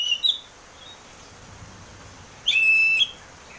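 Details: Oriental magpie-robin, ngeplong-style lure song meant to get a cage bird singing: a short whistled flourish, a pause, then one long, steady, high clear whistle lasting about half a second.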